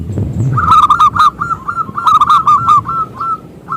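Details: Local zebra dove with a big voice, singing to draw other doves into song: a quick series of loud, rolling coos in short clusters, after a brief low rumbling at the start.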